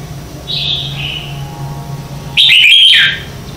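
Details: Red-whiskered bulbul morning song, a loud, clear, ringing recording used to train and stimulate other bulbuls to sing. It has a short whistled phrase near the start, a pause, then a louder, richer burst of whistled notes over faint low hum.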